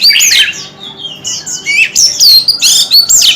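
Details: A captive white-rumped shama fanning its tail as it sings. Rich, loud whistles alternate with sharp slurred and descending notes, delivered in quick, uneven phrases with short pauses between them.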